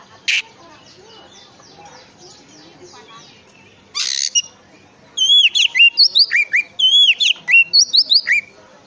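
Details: Oriental magpie-robin song meant to draw other magpie-robins into singing: after two brief harsh notes, a series of looping, curled whistles repeated in quick phrases.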